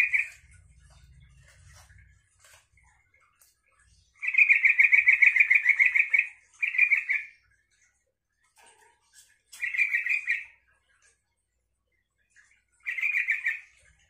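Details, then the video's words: Yellow-vented bulbul song used to get other bulbuls calling back: a long rapid bubbling phrase of about two seconds, then shorter chattering bursts every few seconds, four main phrases in all, with silence between. "suara trucukan ini bikin trucuk lain nyaut dan ikut gacor"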